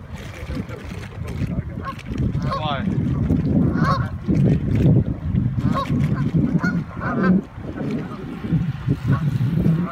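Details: Flock of Canada geese in Toronto, Ontario, Canada, giving loud, overlapping nasal honks in irregular bursts, with a steady low rumble of background noise throughout.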